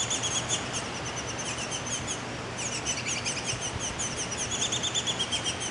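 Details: Baby Baltimore orioles just emerged from their front-yard nest: bursts of sharp, high-pitched chirps come in quick runs with a short pause in the middle, backed by faint constant hum.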